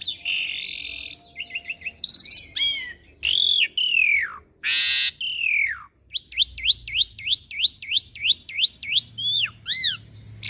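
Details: Asian pied starling song used as a master recording for young birds to copy: harsh buzzy bursts and falling whistles, then a fast run of rising upslurred whistled notes repeated about twice a second.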